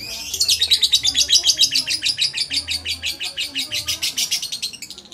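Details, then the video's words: Lovebird cradled in the hands, loud fast chattering of harsh high notes at a rapid beat, swelling early and fading slightly toward the end. "NGUDANG LOVEBIRD SAMBIL DI GENDONG"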